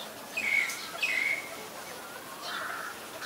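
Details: Common myna (Acridotheres tristis), Ubon Ratchathani, Thailand, 24 February 2022: two short, sharp whistled notes about half a second apart, then a fainter, harsher buzzy phrase, over quiet outdoor noise.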